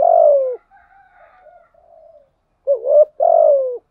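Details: Spotted dove kept as a decoy, a long falling coo followed by faint soft murmuring, then a double rising note and another descending hoot.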